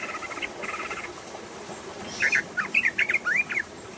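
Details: Female yellow-vented bulbul in rapid flowing song even while crouched with tail pushed: faint buzzy notes at first, then a lively run of quick bubbly, slurred chirps, over steady background hiss.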